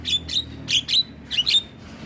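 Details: Training song from a black-winged myna, white-eyed type: six bright, squeaky chirps in three quick pairs, each ending in a short thin whistle.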